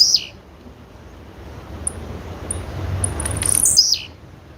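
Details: Female blue-black grassquit: the tail of one falling call opens, then isolated high chips lead to a full thin, high note that sweeps downward, over a low hum.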